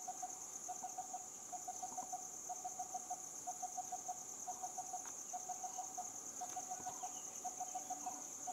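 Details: Repeated monotonous tuk-like notes of a coppersmith barbet, grouped in series of about four to six with short gaps, continuing throughout; a high, continuous insect buzz fills the background.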